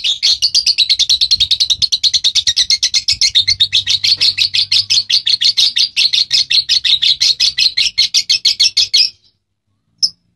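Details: Lovebird song, a long fast trill of rapid chattering notes, about two per second in pulses, sustained for nine seconds then stopping, followed by a single short chirp.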